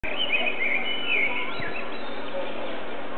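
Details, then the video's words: Blackbird singing at sunset, the bird unseen; loud fluting, warbling phrases in the first second and a half, then a steady background hiss. "blackbird singing at sunset"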